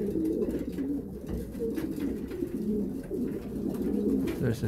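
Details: Several pigeons in a loft in winter, during the breeding period. Low, rolling coos rise and fall continuously, overlapping into a deep burbling chorus with faint clicks and rustles.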